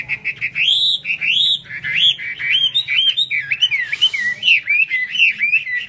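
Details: Hwamei singing hót xòe with eagle-wing display: clear, loud looping whistled phrases rising and falling, repeated about twice per second, with a short hissy noise in the middle.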